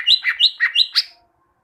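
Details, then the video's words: Greater green leafbird, caged, song meant for training birds: six quick looping whistled notes swinging between high and lower pitch, clear and loud, ending abruptly. "Masteran cucak ijo, masteran burung cucak ijo agar cucak ijo rajin bunyi"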